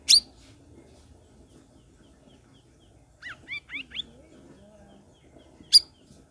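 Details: Sooty-headed bulbul prompting stalled cage birds to sing: a loud sharp chirp, then a soft run of four short rising-falling whistles, and another loud chirp near the end, all over quiet hum.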